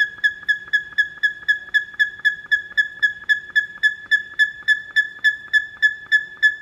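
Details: A male buff-crested bustard in the McNeil Avian Center bird house at Philadelphia Zoo, 20 June 2014, gives a loud, piercing territorial call: sharp, evenly spaced notes, nearly four per second at a steady high pitch, over faint hum.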